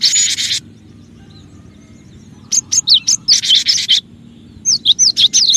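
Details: Cinereous tit calls used as a lure for other birds and to prompt quiet birds to sing: a harsh buzzy burst, a pause, then quick hooked whistled notes mixed with short raspy buzzes.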